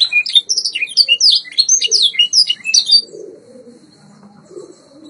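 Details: White Yorkshire canary on a training recording, giving three seconds of quick, high, rolling chirped notes that stop abruptly, leaving faint low room sound.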